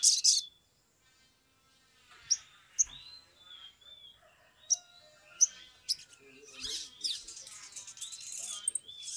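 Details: Sumatran leafbird, described as singing agitatedly, used as a lure to get other leafbirds singing quickly. High whistled notes sliding and wavering, broken by sharp clicking chips and a dense burst of scratchy chatter toward the end.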